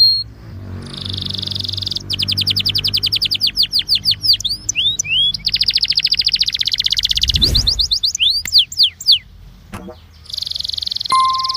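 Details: Belgian canary incarte song for warming up canaries: buzzy steady notes, then fast repeated trills, and downward-sweeping whistles alternating with rapid rattling phrases. A faint low hum sits underneath.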